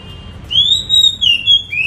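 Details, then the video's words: A captive Oriental magpie-robin, a fighter-type bird, in the morning after its bath, starts singing clear, sweet whistled phrases, high and slightly wavering, with a low background hum. "Wah, dia sudah mulai berkicau."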